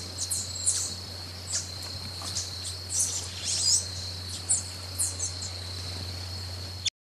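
Brazilian ruby giving thin, very high chips at irregular intervals, about a dozen in seven seconds, over a steady insect drone and a low hum.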